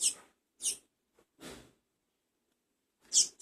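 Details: A first-brood double-collared seedeater chick being fed, making short hissy high-pitched begging bursts. The bursts are irregularly spaced, with a longer silent gap before the last one.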